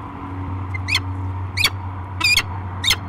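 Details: Peregrine falcon pair meeting in the nest box at Great Spirit Bluff, 15 March 2023: four sharp, slurred, rising-falling call notes spaced about half a second to a second apart, with a constant low electrical hum behind.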